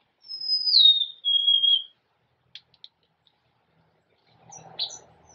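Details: Golden-crowned sparrow's plaintive whistled song: two or three pure notes stepping downward over about two seconds, then quiet with soft clicks and a short high chirp near the end.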